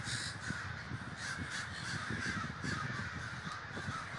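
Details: Large gathering of crows in Davis, California: a dense, distant chorus of overlapping caws over continuous low background rumble.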